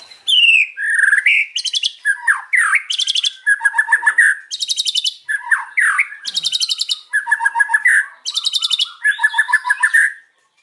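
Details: White-rumped shama singing in the afternoon, a loud string of rich whistles, sweeping slurs and rapid rattling trills repeated in bursts with brief pauses, clean and without other sounds.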